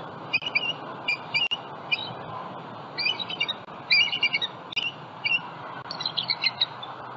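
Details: Bald eagles calling at a Southwest Florida nest containing eggs, live nest cam, morning of 27 February 2020, juvenile flying over the nest; repeated shrill, chattering chirp bursts, some in quick series, with faint clicks and steady hiss.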